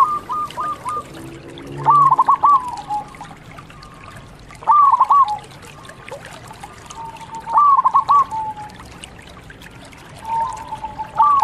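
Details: Local zebra dove in full song for bird training. Short bursts of stuttering, quick coos, each trailing into a drawn-out note, come roughly every three seconds with quiet gaps between and low background noise.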